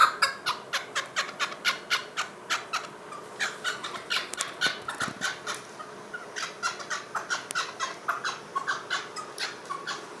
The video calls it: Chokor Best Calling